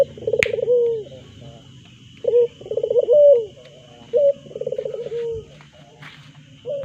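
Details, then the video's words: Ringed turtle dove cooing vigorously: low, rolling phrases of pulsed notes that end in a drawn-out falling coo, repeated in several bouts over a steady low background hum and a sharp click. "burung puter Gacorr"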